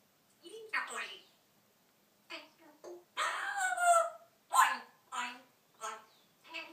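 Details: Pet African grey parrot talking freely indoors: a run of short, clipped human-like words and syllables with brief gaps between them, with one longer drawn-out phrase near the middle.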